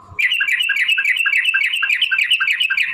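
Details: Yellow-vented bulbul giving a long fighting song meant to provoke other bulbuls into singing: a dense, unbroken rolling chatter of bubbly notes running for about three seconds, with a steady tone held underneath.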